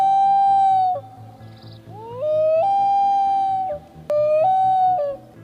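A loon gives long, mournful wailing notes that slide upward and hold steady, repeated three times, over a soft rhythmic music bed.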